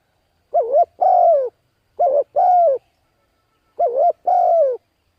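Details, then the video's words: Spotted dove calls meant to stimulate decoy birds. Three two-note phrases, a brief dipping coo then a longer falling coo, with a gap before the last phrase, in a clean recording. "Cu Gáy Thúc Gù Gáy Cực Phê Kích Mồi Tập Bổi Quá Hay"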